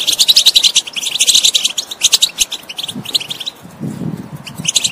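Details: European goldfinch bursting into rapid high twittering, then sparser chirps and a short silence, followed by low background rumble and further twittered notes at the end.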